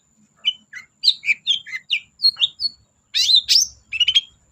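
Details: Long-tailed shrike singing as a lure for silent birds: a rapid, varied run of short whistled and chirped notes jumping up and down in pitch, ending in harsher, buzzy, rasping phrases.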